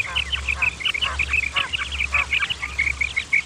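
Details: Quail calls, male and female, played to attract quail for hunting. A rapid series of bright whistled notes, many overlapping, runs over a steady low hum and background hiss.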